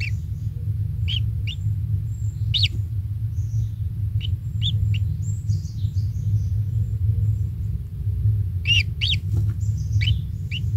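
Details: One newly hatched kingfisher chick in the nest, parent feeding it insects; scattered short rising chirps with a quick flurry near the end, faint high whistles and continuous low rumbling noise.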